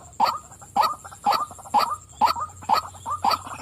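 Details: Short burst of calling by a female white-breasted waterhen: seven gruff, nasal 'wak' notes about every half second, with softer croaks between them.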